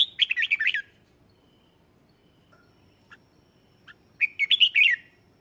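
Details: Red-whiskered bulbul singing a lure song to call wild birds: two lively phrases of rapid warbled whistles about four seconds apart, with a few faint single chirps between them.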